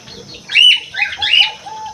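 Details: Aviary crewet producing a short harsh, buzzy call followed by a softer chattering phrase and a thin low whistle trailing behind, heard close and clear.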